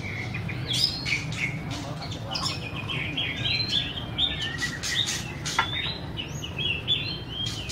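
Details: White-rumped shama song: lively chirps and short whistled phrases with quick slurs and scattered dry clicks, flowing without a break over a constant low rumble.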